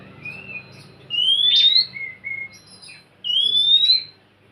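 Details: Song of an Oriental magpie-robin played to prompt a lazy bird to sing: a soft low whistle, then two long clear rising whistles separated by short warbled notes, over a low background hum.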